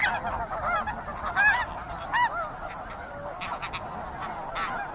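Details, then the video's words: Busy calling from a snow goose flock: many barking, slightly rising honks in uneven bursts, a few clear near birds standing out over a murmur of distant calls. "Snow Goose. Fairly Busy Calling From Flock."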